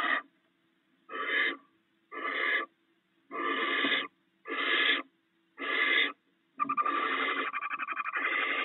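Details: Barn owls at their nest, a mated pair sharing rats the male brought in overnight: six harsh, breathy hisses of about half a second each, spaced roughly a second apart, then a longer unbroken rasping hiss with a fine ticking texture.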